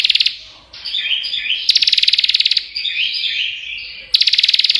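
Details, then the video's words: A prinia, locally prenjak, sings in tight succession: loud machine-gun rattles of sharp high clicks separated by softer, jumbled warbling notes, with no pauses between them. "Burung Prenjak Ngocehh Parah Suara Rapat Gk Berhenti!!"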